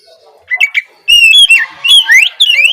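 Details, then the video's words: Oriental magpie-robin song used to prompt young spotted birds to sing in the morning: a short stretch of bright, rising and falling whistles with a few quick chirps. "Cocok untuk pancingan Kacer trotol bahan agar lekas bunyi di pagi hari!"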